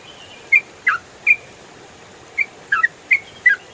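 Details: Ruddy-breasted crake used as training audio for songbirds, giving scattered short chirped notes, some doubled, with gaps of up to a second between them over a quiet background.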